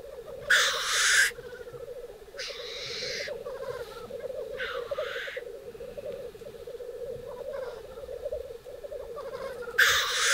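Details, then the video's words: Male Black Grouse at a lek in northern Sweden in April 2021: a steady, low, dove-like bubbling chorus broken by harsh hissing sneezes every two to five seconds. "Black Grouse lek"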